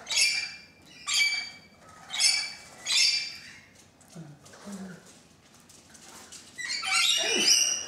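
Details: Thirteen rainbow lorikeets gathered on a balcony: a series of strident, harmonic screeches spaced about a second apart, a lull with soft low sounds, then a dense overlapping chorus of shrieks.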